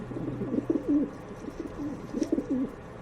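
Pigeons give low, soft throaty coos in two rolling bursts, each a quick run of wavering notes, over faint background hum.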